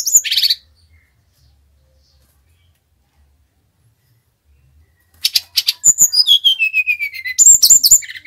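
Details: Lure song of the Bali brown-chested jungle flycatcher: a brief harsh burst, a long quiet stretch, then rapid high chattering leading into a falling series of clear whistled notes and more chips.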